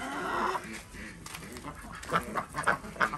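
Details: Morning egg collection among Desi ducks at a village farm in Andhra Pradesh. A softer murmur opens, then sharp, harsh quacks sound in short groups about every third of a second near the end.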